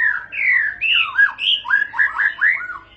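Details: Murai batu (white-rumped shama) singing long, smooth whistled phrases that glide up and down, followed by a string of shorter rising and falling whistles, about two per second.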